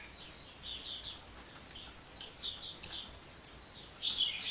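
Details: Sunbird (kolibri) singing tirelessly: short, bright, high-pitched chirp phrases about half a second long, repeated in quick succession with small pauses between.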